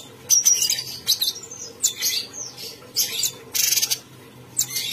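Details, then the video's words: Bulbul known locally as cucak cungkok in full, non-stop song, with quick high chirps, a short whistled note and a dense rattling burst near the end. "Burung cucak cungkok Gacor"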